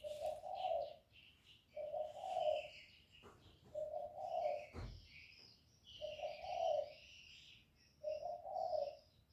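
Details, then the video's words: Spotted dove used as a decoy to pull in wild doves: steady low coos repeated roughly every two seconds, five phrases, over busy background chirping from other birds and one brief knock. "Cu gù kích bổi, kéo bổi về tàng tiếng chim cu gáy đi bẩy"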